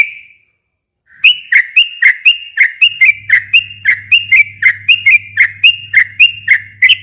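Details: Long 'ropel' song of a sooty-headed bulbul, played to coax a silent bird into replying. A lone whistle, a second of quiet, then quick chirpy whistled notes about four per second, with a steady low hum joining.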